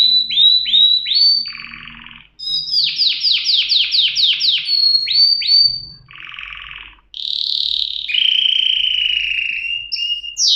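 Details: Singing canary delivering a lively series of descending whistled notes, a buzzy rattle, a fast run of sharp down-slurred chips about five per second, then long warbled trills.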